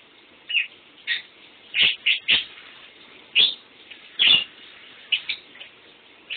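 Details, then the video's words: Indoor lovebird, restless as it tries to sleep during someone's shower. Short, shrill squeaks repeat at an uneven pace, some doubled, with steady shower spray in the background. "Love bird"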